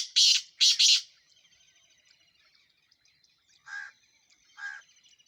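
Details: Black francolin from Sindh: two loud, rasping, grating notes, then softer, lower hoarse notes about a second apart, over faint background bird twitters.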